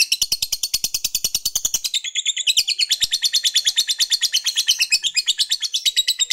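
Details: Fighter lovebird in long ngekek song, used to rouse rival males: a dense, unbroken stream of shrill chattering pulses, roughly three per second, that stays even for over six seconds.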